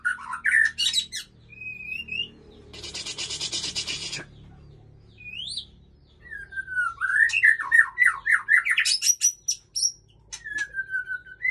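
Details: Male White-rumped shama with a female at Ujong Pancu, Aceh, singing varied whistled phrases, rising slides and rapid chattering runs, interrupted midway by a burst of harsh noise, with a low background hum.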